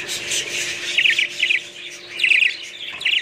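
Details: Budgerigars give quick bright chirruping phrases, short rattling warbles in bursts of a fraction of a second, set against softer background chatter.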